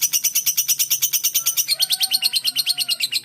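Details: Pet lovebird, described as a shy fighter-type bird kept at home, giving a fast, rapid chattering of sharp high chirps repeated about three times a second, with fainter thin whistled tones running underneath in the second half.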